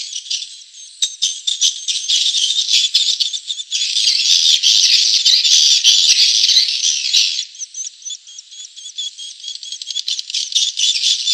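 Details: Swiftlet lure call: dense, buzzy, high chattering calls overlapping in a steady stream of about three chirps a second, with some clicking trills.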